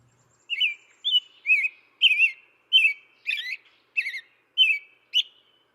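American Robin caroling in short, warbled whistled phrases, about ten in a row at a lively pace, each slurring up and down; a chickadee is faintly audible near the end.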